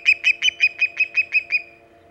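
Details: At the Hog Island nest early on 13 August 2019, 5:37 am EDT, an arriving osprey gives nine quick, loud whistled chirps in about one and a half seconds, then falls silent, leaving only faint hum.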